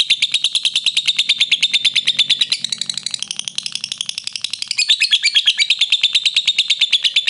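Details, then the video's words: Lovebird giving a long, clean ngekek trill used as training master audio: fast, even, shrill ticking notes that run on without pause, dipping briefly in loudness in the middle before returning strongly. "Masteran Lovebird Ngekek Panjang Suara Jernih"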